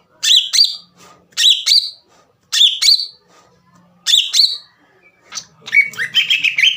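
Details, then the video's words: Green leafbird singing in a bold, rivalry-provoking style, with sharp paired whistled notes repeated in bursts about every second and a half, then a busier warbled phrase at the end. "MEMANCING CUCAK IJO LAWAN AGAR EMOSI DAN GACOR"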